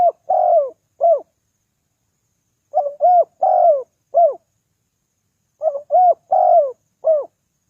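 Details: Spotted dove cooing, recorded as a lure to draw in wild doves: three clean phrases about every 2.8 seconds, each of four low, mellow coos with a longer drawn-out middle note and a short final coo, over silence.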